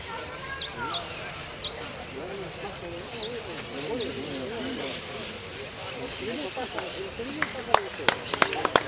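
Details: European goldfinch entered in a singing contest at Ciudadela on 27 November 2022, class yellow without closure: bright high notes repeated about three per second for five seconds, then scattered sharp clicks, with people talking throughout.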